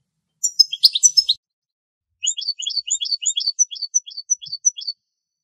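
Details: European goldfinch in Greek nature, recorded at the spot where a female took insects from a spider web. A dense jingling burst comes first, then a longer phrase of about a dozen crisp, high chirps that alternately rise and fall.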